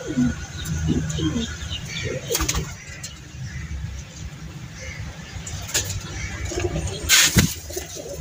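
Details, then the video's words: Pigeons giving low, throaty coos in short bursts, over a steady low rumble of traffic with a few sharp wing-flapping noises. "Pigeons Beautiful Sound"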